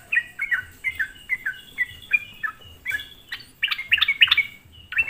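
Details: Sooty-headed bulbul song used as a lure to provoke other bulbuls: a run of short, slurred, downward chirps about three per second, then a denser, louder burst of overlapping bright chirps near the end, over a faint low hum.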